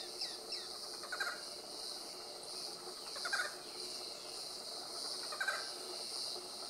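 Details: Barred forest-falcon in Chaco National Park, Argentina, on 27 October 2017, giving single short, yelping notes about every two seconds over a steady high insect hiss.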